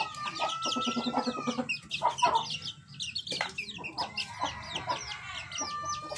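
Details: White rooster crowing in a yard: two long, drawn-out, steady crows, one at the start and one near the end, with a few shorter sputtering notes between them. Small birds chirp busily in the background throughout.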